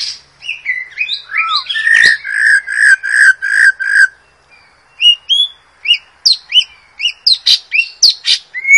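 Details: White-rumped shama in the wild, song for training young birds: twisting whistles, then a rapid series of about eight loud repeated notes, a brief pause, and spaced sharp chirps and upslurs.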